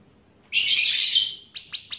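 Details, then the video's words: Caged bulbul trained to include other birds' songs in its singing: a dense, buzzy high chatter lasting about a second, then three sharp rapid chips in quick succession. "Cucak Ranting Gacor Isian Cicilin"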